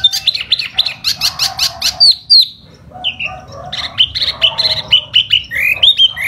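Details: Laughingthrush in spring giving a lively song of rapid clipped notes and descending whistles, a short pause, then a fast series of repeated sharp whistled phrases.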